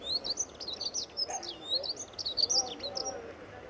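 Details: A dunnock, one of dozens vocal at Little Paxton Nature Reserve in February 2013, sings a hurried, high, jingling warble of thin squeaky notes that runs on without pause, with faint low murmurs in the background.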